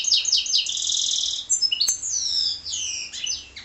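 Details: Song of a goldfinch and canary hybrid, with rapid high buzzy trills and sweeping whistled notes in a continuous, varied stream and a single sharp click midway.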